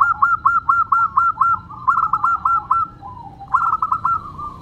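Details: Zebra dove of a local strain singing crystal-clear: rhythmic series of short, bright, evenly spaced coo notes, about six then five, a falling slur, and a final quick loud burst.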